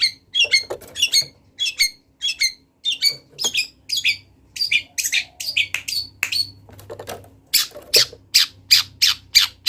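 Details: Long-tailed shrike, a wild bird singing actively with imitated phrases: a rapid irregular string of sharp high chips and scratchy notes, about one and a half per second, ending in a run of harsh buzzy strokes, with a faint low hum underneath.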